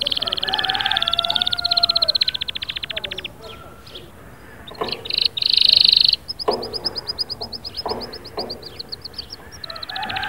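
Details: A canary song with fast trilled rolls, a brief piercing whistled note and a rapid chattering series, with noisier background between the phrases.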